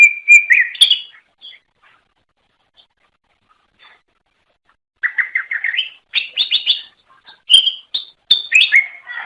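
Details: Cucak ijo song used to attract other greater green leafbirds: a short chirpy phrase, a silent gap, then a lively stream of rapid, high, rattling trills and sharp whistled notes.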